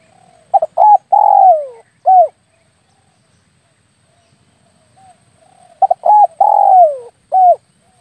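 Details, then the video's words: Spotted dove call used as a lure for air-rifle hunting, two matching phrases about five seconds apart, each of short clipped coos, a long drawn coo dropping in pitch, and a closing short coo. "SUARA PIKAT BURUNG TEKUKUR/DERKUKU"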